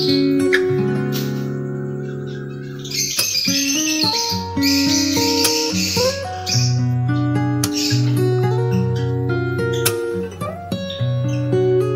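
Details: Plucked acoustic guitar music with steady sustained notes fills the whole recording, and no clear animal voice stands out.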